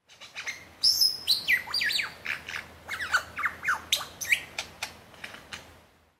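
A lyrebird gives a loud, varied run of about fifteen notes: ringing downslurred whistles mixed with harsher chips and squawks, several per second, over a quiet background.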